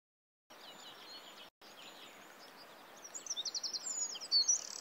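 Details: A red-footed falcon at its nest in Polgár, Hungary, during the 2024 breeding season gives a fast, shrill chatter of about seven high notes, ending in a louder harsh burst, over a steady hiss of background noise.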